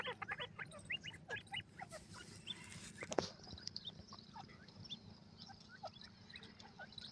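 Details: Chicks of the black francolin (mosmi teetar) peeping in quick runs of short high chirps early on, then sparser single notes, with one sharp click midway and constant low background hum.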